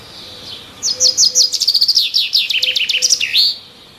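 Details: Chirping from birds in the trees: a fast, bright sequence of high repeated notes lasting almost three seconds, closing with a swooping down-and-up whistle, with a faint low hum beneath.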